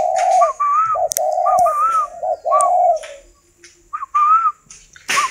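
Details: Spotted dove kept in captivity, 'cườm vàng' golden-necklace type, delivering a run of four hollow coo phrases, then a short pause and one more. Each phrase is a quick low note and a sustained soft hoot. Brief clicks are heard between phrases.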